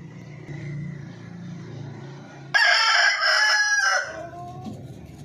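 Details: Crowing rooster heard over a low steady hum; the harsh, loud crow starts suddenly midway, holds for about a second and a half, then drops away.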